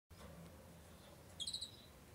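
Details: Two-barred crossbill while incubating: one short burst of three quick, dry chip notes late in the clip over a faint low background hum.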